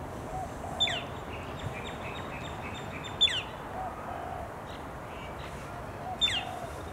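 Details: Male Australasian figbirds in Hawthorne Canal Reserve, a recreation area in Sydney, NSW, in late July 2017: a sharp, descending downslurred note repeats three times, about every two and a half seconds, over softer chirps and steady low background hum.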